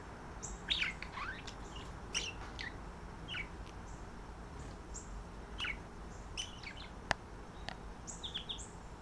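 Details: Two pet budgerigars, a visiting female and a male, calling to each other at night when put up to roost, flirting. Scattered short chirps and squeaky rising notes come every second or so over a low steady hum.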